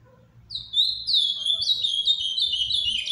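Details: Ultramarine grosbeak kept in captivity, singing quietly in paraná farrapo style: brief hush, then a rising run of clear, sliding whistles that flows into a rapid warbled chain of notes.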